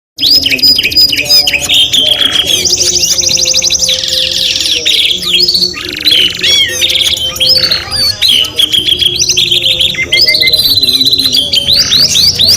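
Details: Canary song, possibly two birds: a continuous loud stream of fast trills, rolling buzzy runs and whistled slurs that carries on without a break, alongside steady background noise.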